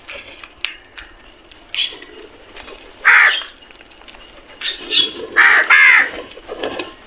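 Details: Crows fighting for food give harsh, hoarse caws in scattered bursts, with a loud pair near the middle and a quick run of overlapping rasping caws toward the end over a quiet background.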